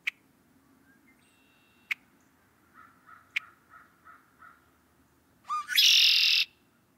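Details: Red-winged blackbird (Agelaius phoeniceus) song, a bird whose growing numbers herald spring: three sharp check notes and a string of soft chuckles, then a rising note bursting into a harsh, buzzy trill.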